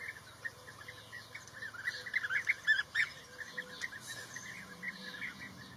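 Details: Blue-tailed bee-eater calling: short, bright chirps clustered in a lively burst near the middle, some slightly trilled, over a steady low hum and faint background noise.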